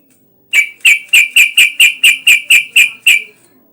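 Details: Yellow-vented bulbul sound used to coax other bulbuls into singing: eleven sharp, bright chirps in a steady run of about four per second, clear against a quiet background.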